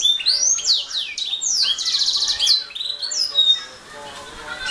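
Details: Canary song: swooping whistled glides, then a loud rapid rattling trill in the middle, ending in softer, thinner notes.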